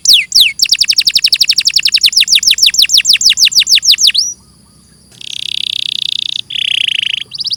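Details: Canary singing a rapid series of repeated down-slurred whistled notes for about four seconds, then a short pause and two long harsh buzzy trills.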